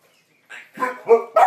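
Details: Pet African grey parrot, 14 years old, gives a loud, rough imitation of a dog barking: three quick harsh woofs within about a second, rising in loudness, right after a person speaks.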